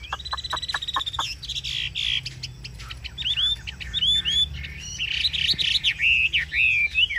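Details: Chinese hwamei, a kept cage bird prized in Vietnam's northwest mountain hobby, in full song: a quick run of sharp dry clicks, then loud, varied, whistled and slurred phrases, rising and falling, delivered almost without pause over a low background hum.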